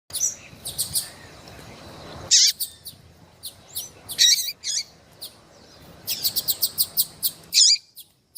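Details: Female Double-collared Seedeater in breeding condition, calling intensely to excite a male: sharp high chirps in clustered bursts, some rapid runs of short notes, separated by brief silent gaps.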